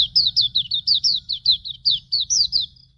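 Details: Master training song of a Hume's white-eye: fast continuous run of about thirteen high, sweet downslurred notes, evenly spaced and slightly varying in pitch, delivered without pauses.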